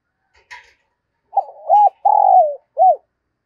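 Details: Morning cooing from a decoy spotted dove, in thúc and chiêu call styles: a faint chirp first, then a stuttering lead-in, a long falling croon and a short arched coo, with no other noise.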